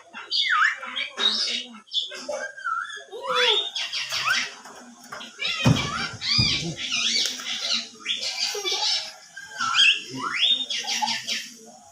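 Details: Javan myna whistling and chattering: a long run of harsh, rising squawks and buzzy notes repeated every second or so, with a couple of loud thumps midway.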